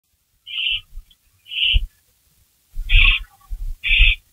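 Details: Barn owl calling at its nest around 3:53 AM on 16 May 2012 as a rabbit is delivered; four harsh, hissing bursts spaced about a second apart, with low thumps and scuffling between them.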